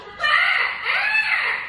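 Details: A pet singing Amazon parrot in Florida lets out a loud, harsh, screaming call lasting over a second, with wavering tones that sweep up and down, indoors.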